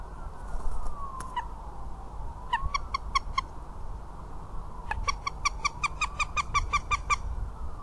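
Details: Northern goshawk in Riga on 17 February 2017, with mating sounds, gives two bursts of harsh, rapid cackling notes, about five a second, over a low rumble of distant traffic or wind.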